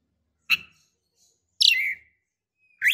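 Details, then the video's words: Female Oriental magpie-robin calling the male: three short notes, a sharp chip, then a buzzy falling note and a rising whistled note, separated by silence. "KACER BETINA Memancing KACER JANTAN"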